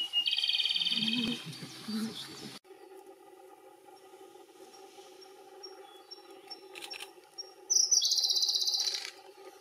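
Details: Japanese robin singing at Yanagisawa Pass on 5 May 2018, recorded for comparison with the Siberian blue robin. A high note drops into a fast, loud rattling trill, with an earlier burst of higher notes and a steady low hum.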